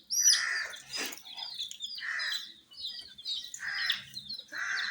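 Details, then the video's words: Baby chickens with dyed feathers peeping in a high, slurred chatter, accompanied by four hissy bursts spaced about a second apart and one short crackling click. "MURGI Baby "Chicks Chirping" Sound"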